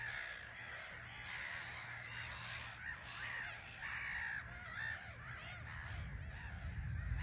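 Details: Black-headed gull colony on a small island at RSPB Frampton Marsh under a grey sky, birds taking off and landing, keeping up a dense chorus of harsh, grating cries without pause over a low rumble of wind.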